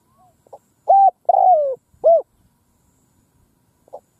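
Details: A Spotted Dove in the middle of a field gives hollow, mellow coos, three strong notes over about a second and a half, the middle one longer and falling, with softer notes around them.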